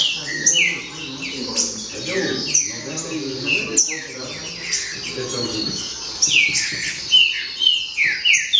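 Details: Green-winged saltators in a noisy chorus: many loud, overlapping descending whistled phrases, clear sliding notes tumbling one after another, with low human talk murmuring underneath during the first half.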